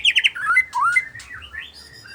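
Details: White-rumped shama in the afternoon giving a short burst of song: three quick bright notes, then slurred whistles dipping and rising, fading into softer high whistles.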